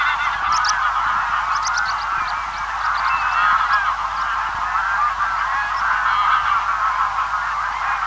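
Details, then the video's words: Distant large feeding flock of Greylag Geese: dense, overlapping nasal honks and cackles forming a steady babble, with bursts of short, high twittering from swallows above the flock. "Greylag Goose. Distant Calls From A Large Feeding Flock"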